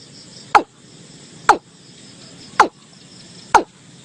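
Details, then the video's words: Watercock calling as a lure: four loud, short, falling knocks about one second apart against a soft background hiss. "เสียงนกอีลุ้ม|เสียงชัด100% ต่อง่ายเข้าเร็ว"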